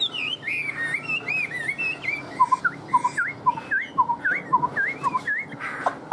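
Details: Chinese hwamei kept in a cage, said to be fired up, delivers a flowing whistled phrase, then repeats a two-part motif of a short low whistle and an upward-hooked note about every half second.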